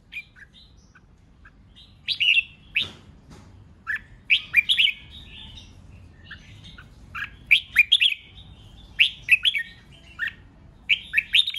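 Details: Red-whiskered bulbul singing competitively to provoke rival birds: bursts of bright, slurred whistled notes in short phrases, loudest after two seconds, with gaps between phrases and quiet background.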